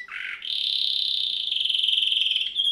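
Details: Red factor canary, one of a pair, singing a high, continuous rolling trill with fast even pulses, held steady for about two seconds after a brief lower opening phrase.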